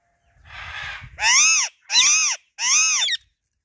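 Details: Natural voice of a female Alexandrine parakeet: a soft rushing noise, then three loud, raspy, arched squawks in quick succession, each about half a second long.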